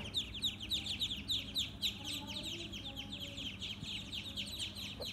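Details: Farm ducklings peeping together, a rapid stream of sharp, high, slightly falling cheeps, many birds calling at once with little pause.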